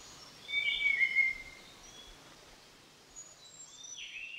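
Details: Large Niltava at Doi Lang, Pha Hom Pok National Park, Chiang Mai, Thailand, gives one clear, high whistled phrase stepping down in pitch, followed by faint thin high notes against quiet background hiss.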